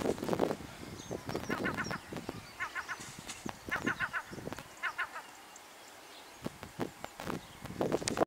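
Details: Seagulls at feeding time in Bluestone, Pembrokeshire, Wales. Quick bursts of short, nasal, stacked yelping notes come in clusters from about the second to the fifth second, among loud knocks and clattering thumps at the start and end.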